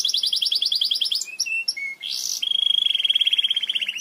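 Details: Belgian canary song meant for teaching other canaries: a rapid high pulsed trill, a few brief chips, then a long, even, lower rolled trill.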